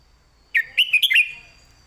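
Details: One crisp phrase from a red-whiskered bulbul in master-song style: five fast, liquid whistled notes rising and falling, over a faint steady high tone.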